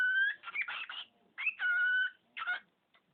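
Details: Pet budgerigar mimicking household words and a human sneeze: buzzy, speech-like phrases with steady, clear tones mixed in, in three bursts over three seconds.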